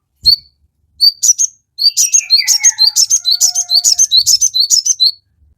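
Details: Crested jay singing energetically as a provoking lure for kept birds. A few spaced high chirps build into a fast, steady run of bright repeated notes. Faint, lower drawn-out whistles sound beneath the run.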